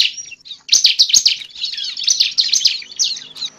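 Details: Lure recording of bar-winged prinia (ciblek) for trapping birds: a continuous jumble of high, shrill chattering notes with overlapping twitters and a faint thin whistle.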